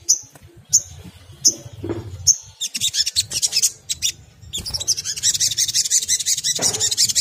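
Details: High whistled notes repeated about every three quarters of a second give way to a fast, dense, shimmering trill, a crimson sunbird's chattering song played to coax other sunbirds into singing.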